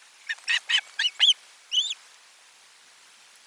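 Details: Osprey calling at the nest on 12 July 2022 around a lunchtime fish delivery: a quick run of five or six loud, arched, whistled chirps, then silence.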